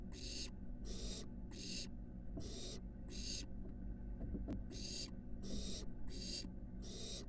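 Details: Nest-box barn owl nestling at the University of Florida, moving up onto a roof: repeated breathy screeching hisses, about ten broad noisy bursts in seven seconds with a short pause near the middle, over a low steady hum.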